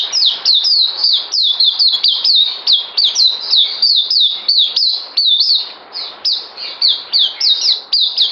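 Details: Caged white-eye, 9 December 2018, due for deworming, singing energetically: a dense stream of shrill falling whistles, roughly three per second, with a short softer lull midway.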